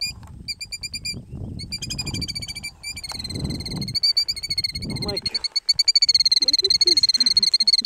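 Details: A parent killdeer near its nest on a gravel road gives shrill, piercing calls in quick succession, building into a nearly continuous excited stream, trying to distract potential predators; low rumbling and faint voices underneath.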